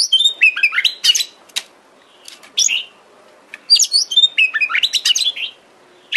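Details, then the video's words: Oriental magpie-robin (kacer) song played as a trigger to get a kept bird singing and spreading its tail: rapid varied phrases of sharp chirps, clear whistles and descending slurred notes in two bursts, separated by a pause, with a short note at the end. "Pancingan KACER agar GACOR dan EMOSI BUKA EKOR"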